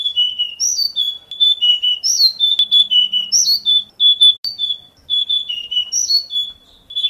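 An oriental magpie-robin sings a nonstop run of clear, varied whistles, sliding up and down with short chirpy flourishes about every second. A faint low hum briefly sits underneath.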